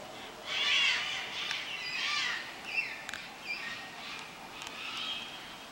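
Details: Cockatoos calling as a flock flies over the Blue Mountains of Australia, giving raucous grating screeches in overlapping bursts roughly every second, loudest near the start and fading slightly toward the end.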